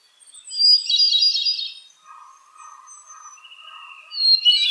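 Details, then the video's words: Hermit Thrush song: a bright, fluty, shimmering phrase, then a pause, with a softer, lower warbling beneath before another high phrase begins. "So, let's take a listen to the Hermit Thrush's very complex call."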